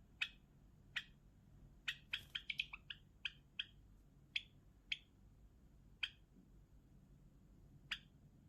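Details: Java sparrow singing: bright clipped chirps open the song, speed into a rapid rattling burst, then slow again to single notes spaced a second or more apart.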